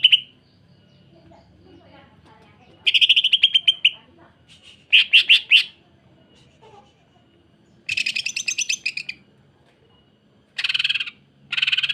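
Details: Greater green leafbird singing the rough, rapid 'sewing machine' style with strange sounds, meant as tutor and provoking song for other leafbirds: five separate bursts of fast high rattles and buzzy chatter with pauses between.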